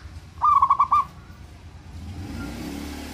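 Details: Local zebra dove, a strongly vocal male used to provoke the emotion and arousal of rivals: one quick burst of about six hollow, bubbling coo notes at a steady mid pitch, followed by low rumbling background noise.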